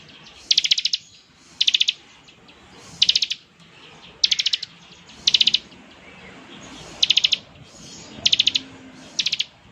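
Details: Bar-winged prinia singing ngebren, a style said to best provoke other prinias into answering: eight short, high trilled bursts spaced roughly every second, with quiet background hiss between them.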